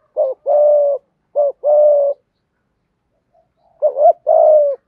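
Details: Spotted dove singing a full calling and cooing sequence to stimulate rival doves; three phrases, each a quick clipped coo then a longer even coo, separated by silence, the last opening with a wavering double note.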